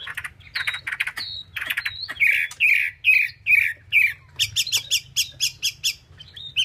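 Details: Chinese hwamei delivering a run of short, bright notes, first slurred whistles, then a quick series of high, repeated clipped notes about twice a second or faster.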